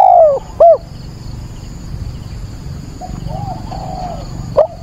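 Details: Spotted dove used as a decoy, calling at dawn on 22 October to lure and rouse wild doves. There are loud mellow coos, sliding downward, at the start and near the end, with faint softer coos between them and a steady high-pitched whine throughout.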